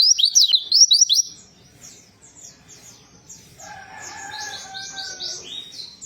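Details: Warbling white-eye song meant to stimulate a silent bird to sing: a loud opening flurry of quick swooping high whistles, followed by quieter overlapping chirps and a few steady lower tones.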